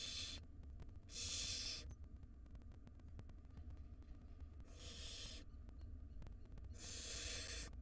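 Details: Wild barn owl chicks begging as the mother feeds siblings a rodent in a nest box: four rough, hissing screeches spaced irregularly across several seconds, with a steady low hum underneath.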